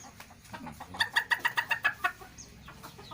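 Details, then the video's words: Laying hen in Sei Rampah, Serdang Bedagai, North Sumatra, Indonesia, straining as it lays an egg with an unusual 'dragon' voice: a quick run of about seven loud, ringing clucks over one second, with softer murmuring before and after. "AYAM BERSUARA ANEH!!"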